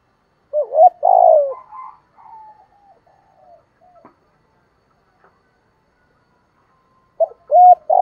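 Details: Spotted dove singing in the hạp bổi voice style, with calling, urging and cooing phrases: a short rising coo, then a loud, low, throaty drawn-out coo, fading murmurs, and a repeat of the phrase after a long pause.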